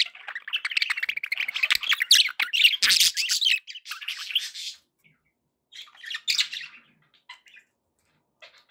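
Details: Caged budgerigars kept as pet companions, fast scratchy warbling chatter for about five seconds, squawks and squeaky notes crowding together, then a pause and a few shorter chirpy bursts.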